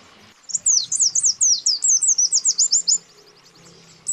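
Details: Male and female white-eyes calling a rival, used as a lure to trigger aggressive birds: one long run of quick, thin, high-pitched chirps, about four a second, then quiet with faint background murmur.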